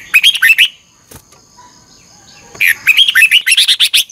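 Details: Red-whiskered bulbul in morning training song, 'chè căng lửa' style with double-twist voice: a short burst of quick notes, a pause, then a longer run of about ten rapid, bright, slurred notes.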